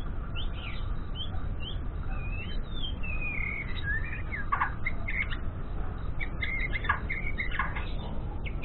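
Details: A young white-rumped shama learns to sing in the morning. It gives whistled, swooping slurred notes, some falling and some wavering, broken by short sharp clicks, with a persistent low hum behind.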